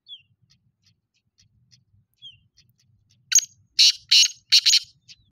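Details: Black francolin: two faint slurred chirps and soft ticks, followed by a loud grating series of four harsh, scratchy notes delivered rhythmically over about two seconds.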